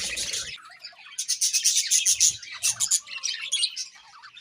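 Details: Budgerigars chirping in the morning: dense, rapid high chattering and warbling notes, many short bursts overlapping at a fast irregular pace, with a brief louder squawky phrase at the start.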